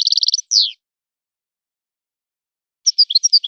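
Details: European goldfinch in a set singing style: a quick buzzy trill and a sliding downward note, then a pause before a new phrase of sharp, high, varied chirps begins, with no other sounds.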